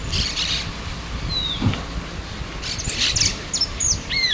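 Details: Cattle Tyrant on the banks of the Paraná River giving thin, high, sharply down-slurred notes, one early and a quick cluster near the end, over steady rushing background noise and low rumble.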